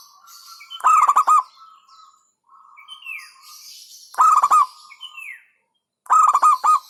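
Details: Local zebra dove singing rolling bursts of rapid, stuttered coos about every three seconds, over a soft steady tone and short falling whistles from another bird.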